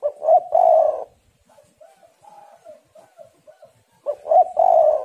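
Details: Female spotted dove luring males with low coo phrases, a loud stuttered coo ending in a long rolling note, a run of soft short coos, then the loud phrase again.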